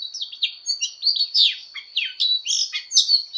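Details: Fighting song of an Oriental magpie-robin in voice training. Loud, clear whistled phrases, some sliding downward, mixed with short chips at a brisk pace. A thin steady high tone is audible.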